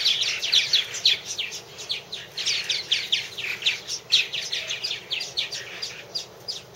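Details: Purple martins at nest houses, a long unedited recording at one of three houses: dense overlapping chirps and gurgling chatter from several birds, bursts coming quickly and irregularly throughout.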